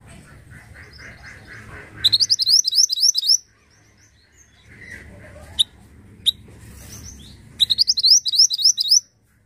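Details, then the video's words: Pied bushchat singing: two bursts of rapid, high, zigzagging notes about a second long, with softer lower chatter before the first burst and sharp single notes between them. "Kicau Burung Mantenan Pala Hitam"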